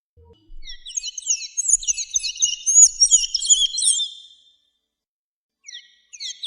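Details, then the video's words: Sayaca tanager song, meant for teaching young birds: a dense, jumbled stream of high, squeaky whistles and slurred notes lasting about four seconds. A brief fragment begins again after a pause, in a quiet setting. "AZULEJO CANTO PARA ENSEÑAR"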